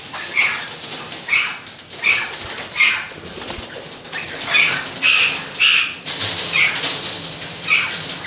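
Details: Golden-mantled rosella from 2013: evenly spaced, sharp chirping calls, about one per second, some with a clear whistled tone, backed by constant rustling and bursts of wing flapping.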